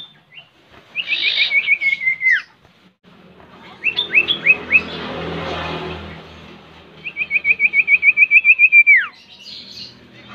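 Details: Common Iora (sirtu or cipoh) song used as a lure to get a bird singing: two rapid trills of sharp notes, each ending in a steep downslurred whistle, with a burst of mixed chirps between them.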